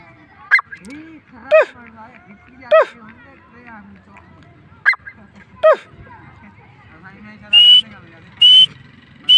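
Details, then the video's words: Francolin giving harsh, downward-sliding call notes spaced one to two seconds apart, followed near the end by three short, high, clear whistled notes. "Teetar ki awaz/ Teetar sound/Teetar voice/ Teetar ki boli"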